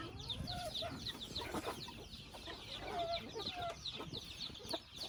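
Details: Chickens in a family house give rapid high descending peeps, mixed with a few lower, short tonal notes and scattered soft knocks.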